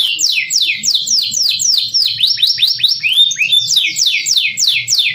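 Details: Masteran canary song made of repeated falling whistled slurs at an even pace, a brief cluster of rising curved notes in the middle, then more steady descending sweeps.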